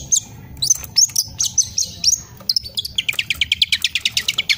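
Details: Young long-tailed shrike learning its song from master recordings and showing off the material it has picked up: high thin whistles, then a fast even run of sharp chirps.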